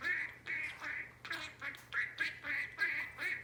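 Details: Albino male budgie about four years old, a pet that learned many words, some never taught, chattering in rapid scratchy repeated syllables like a quick string of words, each burst about half a second, in a small indoor room with a low steady hum.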